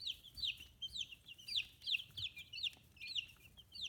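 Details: Loud, clear peeping of 15-day-old chicks with growing feathers on a free-range farm in Hiroshima, Japan; high downslurred chirps repeated several times a second, some birds calling close and others softer behind.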